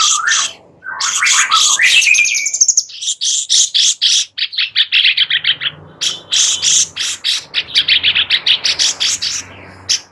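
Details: Sooty-headed bulbul (cucak cungkok) song, used as master song for tutoring magpie robins: varied whistled and chirping phrases, some sliding notes, then quick repeated sharp chirps in rapid series.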